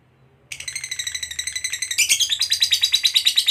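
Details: After brief quiet, a fighter lovebird bursts into ngekek chatter meant to draw replies from other lovebirds: rapid buzzy pulses that grow louder and jump higher in pitch midway, continuing steadily.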